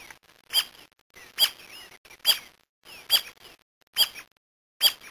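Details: Brasilia tapaculo from Brazil giving sharp, clicky notes repeated about every 0.85 seconds, six in a row, with faint higher whistles from other birds between them.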